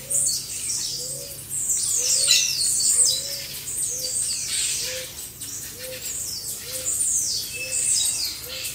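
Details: Caged blue-black grassquits in a group chorus meant to train other birds. A busy tangle of high, buzzy, falling notes, with short rising sweeps and a steady low cooing note repeating about every second below.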